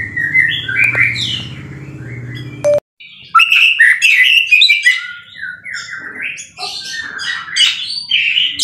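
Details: White-rumped shama song meant for tutoring, varied whistles over a droning low hum at first, then after a short break clearer rapid whistled and chattering phrases continuing to the end.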